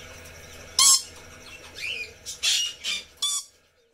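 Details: Red lory, a parrot species kept at a pet home; harsh, loud screeching calls in several separate bursts, the first strongest, followed by a softer rising whistled note and three more short squawks.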